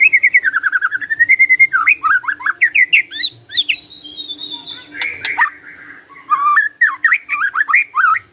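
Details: Magpie-robin (murai) in long gacor song: a rapid rhythmic run of looping whistles, varied rising notes, a thin high drawn-out note, harsh rasping bursts, then more quick slurred whistles.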